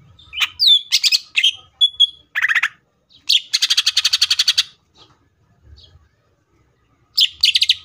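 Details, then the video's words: Varied tembakan song from a cucak ijo, the greater green leafbird: squeaky whistles and slurred notes, then a fast rattle of buzzy chips for over a second, ending in a short rapid burst. "CUCAK IJO FULL TEMBAKAN"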